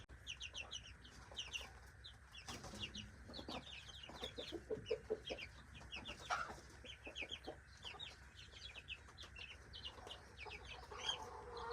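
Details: Several backyard chicks being fed breakfast peep constantly in thin, falling chirps that crowd together, with brief human voices and laughter, a few knocks and a low background drone.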